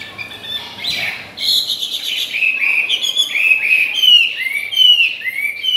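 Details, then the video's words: A captive Chinese hwamei, hatched 2020, sings while feeding: a rich, fast run of loud whistled and slurred phrases, many rising then falling, with a chattering start and no other sounds. "Họa Mi"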